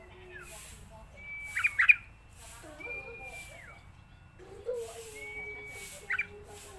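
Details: Yellow-vented bulbul on a training recording for young birds: long, thin, level whistles, each ending in a quick bubbly chatter burst. Low murmuring notes sound between the phrases.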